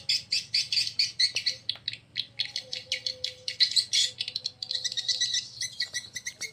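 A dense chorus of high, dry swiftlet twittering, with rapid overlapping chirps and rattles pulsing several times a second, plus a faint steady mid-pitched hum.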